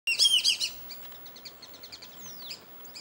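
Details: Black-bellied whistling duck, just landed near a home at Hamilton Creek while its mate flies back and forth, gives a burst of loud, shrill whistled notes, then softer rapid chirping and one clear falling whistle.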